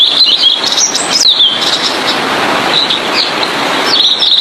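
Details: Singing blue-and-white flycatcher used as a model for training other songbirds. A burst of high, sharply sweeping notes comes in the first second and a half, then a quieter stretch, then fresh high twitters near the end, under constant background hiss.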